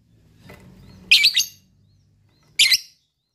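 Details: Lovebird call used to prompt other lovebirds to trill: two harsh, high double-noted squawks about one and a half seconds apart, after a low faint rumble at the start.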